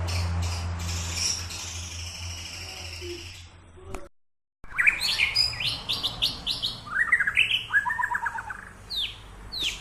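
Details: White-rumped shama during a song training session; after a short gap, varied whistled notes and rapid trilled phrases tumble out, some rising, others falling, over a steady low hum in the background.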